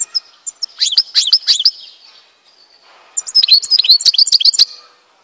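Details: Algerian European goldfinch from Tizi Ouzou singing bright twittering phrases: a quick run of high, rapidly repeated notes, a brief pause, then a second denser burst of tinkling, liquid trills.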